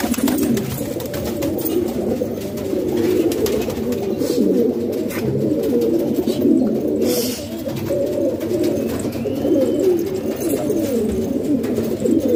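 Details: Kept pigeons indoors in Pakistan give a constant low rumble of overlapping coos from many birds, with soft rustling and occasional taps in a small room.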